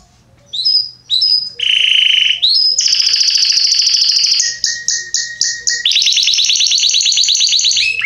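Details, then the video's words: Varied loud song from a Belgian canary used to teach young birds: clipped whistles, a buzzy held note, then trills at different speeds and pitches, including a pulsed two-tone section and a fast rolling finish. "Canário Belga Salsa Cantando Estourado"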